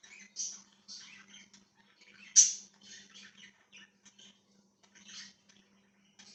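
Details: Parakeet (budgerigar) chirps dated 1/6/2023: separate short, scratchy chips and squeaks with gaps between them, one louder squawk near the middle, in a quiet room with a faint low hum.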